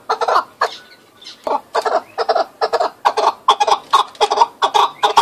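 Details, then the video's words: Chukar partridge calling: harsh, rasping chuck notes in a rapid series of about two per second, with a brief lull near the start, then growing steadier and louder toward the end. "Keklik sesi"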